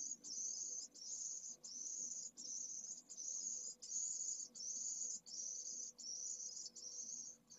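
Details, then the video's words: Pallid swift chick, only hours old, from a second clutch, calling vigorously to be fed at its first feedings in a nest in Jerez de la Frontera. High, hissing buzzes last about half a second each and repeat almost without pause, with faint low background rumble. "PRIMERAS CEBAS pollo de 2ª puesta - Vencejo pálido"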